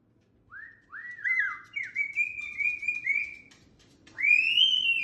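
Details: Indoor pet cockatoo chattering with short, bright rising whistles, several chirpy notes strung together, then a louder upslurred whistle at the end, with faint room hum beneath.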